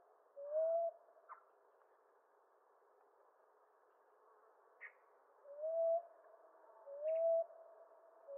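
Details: A common ground dove gives a single upward-sliding coo, then falls quiet apart from faint clicks, before two further coos about 1.4 seconds apart.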